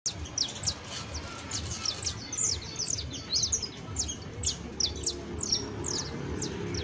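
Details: Juvenile saffron finch singing: a rapid, ongoing series of thin, high chirps and short downslurred notes, loosely spaced and uneven, over a low steady background hum.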